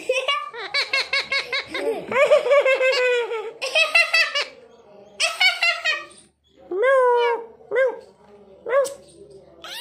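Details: An Indian ringneck and a macaw, both talking parrots, chatter in quick, harsh, voice-like bursts that sound like laughter, with pauses between. Near the end come a longer rising-then-falling squawk and short nasal notes.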